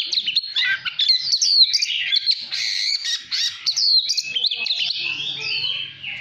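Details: Oriental magpie-robin kept as a decoy sings to rouse other birds: an energetic sequence of crisp whistled notes and sweeping slides, fading out near the end over a soft low hum.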